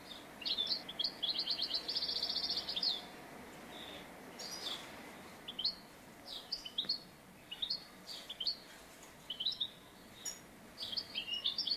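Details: Trapping scene with a singing European goldfinch: an opening burst of rapid twittering trills, followed by spaced, sharp high chirps and short twitters repeated every second or so, over steady background hiss.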